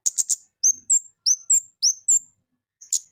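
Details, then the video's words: Lesser shortwing (kemade) in full song: three quick high chirps, then a series of slurred, whistled notes that sweep up, each about a third of a second apart, ending with a final high chirp. "Merdu , Suara Burung Kemade Gacor"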